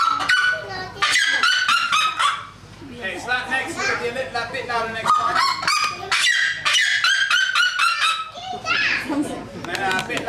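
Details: A captive female seriema at a bird show warms up with a short note, then gives loud, far-carrying yelping notes in a rapid, continuous run, high and harsh like a barking goose, while a trainer speaks faintly.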